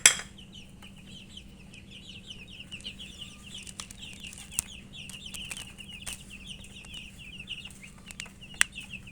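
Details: Chicken chicks chirping while eating; a continuous stream of thin, high peeps overlapping from several chicks, with scattered sharp clicks from pecking.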